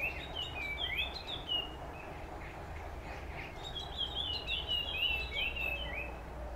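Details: Puff-throated babbler heard in the morning, giving bursts of quick whistled notes with rising and falling slides. A pause separates two bursts, and a steady low background rumble runs throughout.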